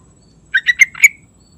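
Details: Yellow-vented bulbul singing in the morning, giving a single fluty, gurgling phrase of four quick notes that ends in a drawn-out whistle.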